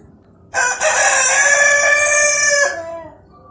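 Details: Red native rooster crowing in the morning: one long, loud, harsh cock-a-doodle-doo held steady for about two seconds, opening with a short rising note and ending in a fading tail.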